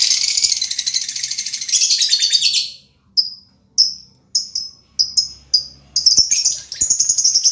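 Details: Lovebird song beginning with a dense buzzy chattering trill, breaking into crisp, evenly spaced high chirps, then returning to quick chatter at the close.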